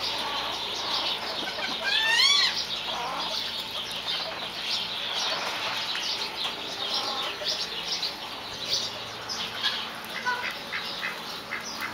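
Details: Several common pheasant hens keep up a busy chatter of soft peeps and clucks, with a few sliding squeaky whistles early on, over a steady background hiss.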